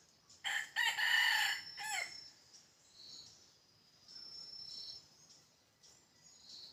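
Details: Red junglefowl kept as a decoy bird for hunting gives one loud, harsh, broken crow lasting about one and a half seconds. Fainter chirping insects continue afterward, with a steady high insect drone throughout.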